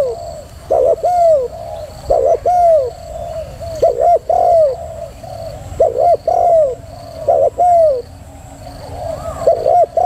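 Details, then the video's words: Female spotted dove in thúc gù prompting style: repeated low coo phrases, a brief clipped note then a drawn-out downward-curving coo, recurring roughly every one to two seconds over a faint constant background hum. "chim cu gáy mái thúc gù"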